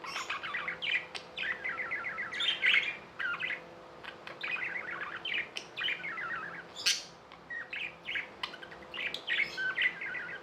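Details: Tame budgies in chatter: rapid strings of short rising chirps and warbled notes, repeated in bursts with brief pauses, a steady low hum behind.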